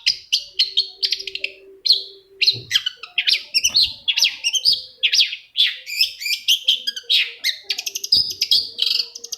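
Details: Long-tailed shrike lure song, meant to draw another shrike into singing: a dense, varied medley of quick chirps, buzzy rasps and whistled notes delivered almost without pause.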